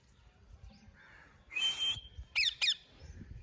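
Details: Talking ring-necked parakeet at home, giving one level whistle followed by two short harsh squawks, with a soft background hum.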